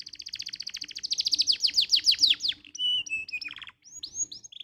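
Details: Canary song used as a tutor recording to get other canaries singing: a fast run of downslurred notes, then steady whistled tones and quick rising notes, all high and clear.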